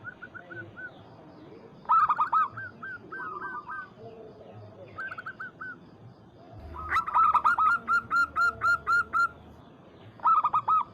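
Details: Zebra dove, local type, calling to provoke a rival. Short phrases of rapid coos give way to a long, loud series of about ten evenly spaced ringing notes, with several doves calling together.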